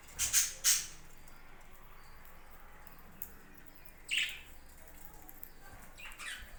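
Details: Kept budgerigars at a farm: a pair of loud, piercing chirps right at the start, then a single sweeping call midway and fainter tweets near the close.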